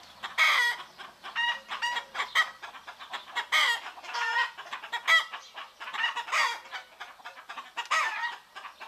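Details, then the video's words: Chickens in Greece in the morning, a busy flock giving short harmonic clucks and squawks in rapid overlapping bursts, several birds calling at once with brief pauses between clusters. "Roosters crowing in the morning"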